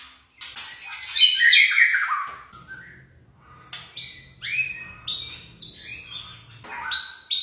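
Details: Young white-rumped shama singing: a loud burst of rich varied whistles and harsh notes, then a softer run of short phrases, some clear upslurred whistles, with low background hum.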